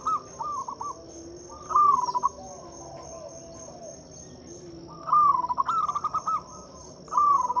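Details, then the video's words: Local Zebra Dove, used as a lure to prompt silent doves to sing: loud cooing phrases, an opening note then a rapid run of short rolling coos, in bursts separated by pauses, over a steady high insect-like whine. "Suara PIKAT dan PANCINGAN perkutut lokal gacor untuk atasi perkutut bisu dan susah bunyi."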